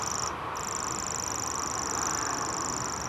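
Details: Grasshopper warbler reeling at Dormans Pond near Saltholme, Teesside, April 2011: a sustained, very high insect-like trill that breaks off briefly near the start and then resumes unbroken, over a strong background rumble.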